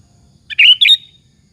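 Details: Sooty-headed bulbul singing a lure phrase to stir other bulbuls into answering: one loud, rich, bubbling two-part phrase lasting half a second, clean against a quiet background.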